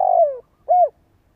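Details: Spotted dove lure call used to prompt other doves to coo: a burry, falling coo, then after a brief pause one short arched coo, low and mellow, with no other sounds.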